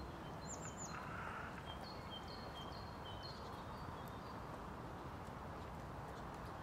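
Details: Eurasian nuthatch in Tivoli Landscape Park, Ljubljana, on 18 April 2023: three thin, high down-slurred notes, then a run of clear piping notes about twice a second, over a steady low outdoor rumble.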